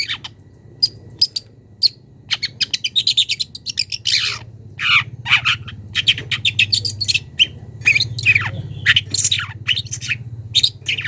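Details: Young wild long-tailed shrike calling a rival, starting to bring out mimicked phrases: rapid bursts of harsh, scratchy notes and short high chips, with a few thin whistles, over a steady low hum.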